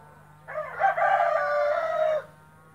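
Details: White splash Brahma rooster giving a single hoarse crow of under two seconds, a slight rise in the middle and an even tone held to the end, over a low steady background hum.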